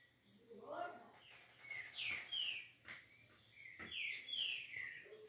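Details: Green-winged saltator, song in the smooth 'liso' style: two bursts of bright, descending slurred whistles rising above steady background noise, with a low voice-like sound near the start and occasional knocks.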